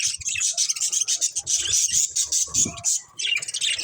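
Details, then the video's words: Breeding pair of budgerigars chattering nonstop, fast squeaky twitters and thin whistled notes layered over faint low rustling, easing off only for a moment near the three-second mark. "Cute Budgies Chirping Sounds"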